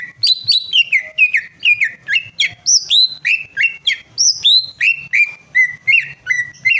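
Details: Greater green leafbird song for prompting a bird to sing: a continuous lively stream of about twenty bright chirped and whistled notes, varied in pitch, delivered at a quick, somewhat uneven pace.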